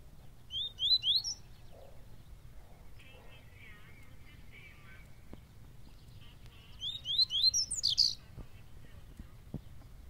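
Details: Double-collared seedeater, known locally as papa-capim baiano, singing two quick phrases of high, rapid, sweeping twittered notes, separated by several seconds of quieter chatter and low background noise.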